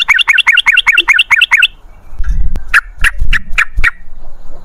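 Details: Yellow-vented bulbul (trucukan) giving a fast series of slurred chirps for under two seconds, then scattered single sharp notes amid low thumping handling noise.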